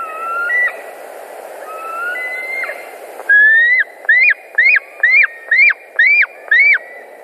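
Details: White-tailed eagles at a nest in Latvia, 10 August 2019, afternoon: faint thin whistles, then a loud series of eight clear whistled notes, each rising and then dropping sharply, given about twice a second.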